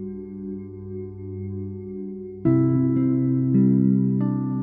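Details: Sustained ringing tones of ambient music, like a singing bowl, swelling in louder after a couple of seconds, with no animal calls heard.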